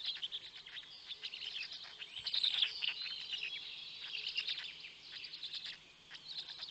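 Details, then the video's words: At 6:09 am on 19 May 2020 in Notecka Forest, Poland, storklets are fed by a parent black stork while the smallest gets nothing. Rapid, irregular high chirps, roughly four per second, form an overlapping clamour. "Polish Black Stork~Parent is feeding the storklets"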